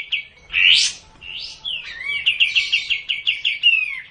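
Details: Sooty-headed bulbul recording meant to stir quiet birds into lively song: harsh rising bursts and a bright whistle open, followed by a falling slurred note leading into a quick rattling run of about ten clipped notes.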